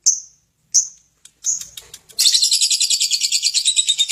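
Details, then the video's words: Lovebird gives two clear high chirps and some softer scratchy sounds, then launches into a loud, fast, buzzy ngekek chatter of rapidly repeated notes. "Love bird ngekek tak karuan"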